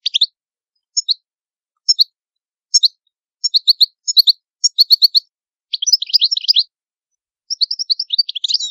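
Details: Italian goldfinch: spaced twittering note groups quicken into a rapid jangling run, pause briefly, then resume with bright high warbled phrases.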